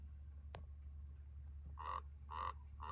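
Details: Chihuahuan raven in the Chihuahuan Desert, Luna County, New Mexico, mocking a car's bells: three short, nasal, harmonic notes spaced about half a second apart, after a single sharp click, over a steady low hum.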